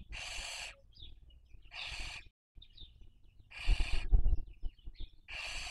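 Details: Barn owl (Tyto alba) at a webcam nest in Cabañeros National Park, Spain, 2023 breeding season, giving four harsh, hissing screeches, each under a second, about 1.5 s apart, over a low rumble.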